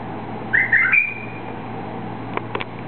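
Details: Single brief bubbling whistled phrase from a released white-eared bulbul, ending in a thin drawn-out whistle, followed by a few faint clicks against steady background hum.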